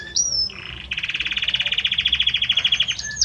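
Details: A male Belgian canary sings to his female: a bright high whistle, then a fast even trill of about eight notes per second, ending in clear whistled notes.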